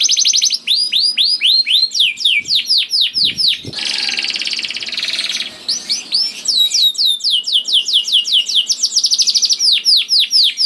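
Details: Singing canary in full voice, played to stimulate other canaries: rolling runs of falling whistled sweeps, interrupted midway by a harsh buzzy burst, then further rapid rolls.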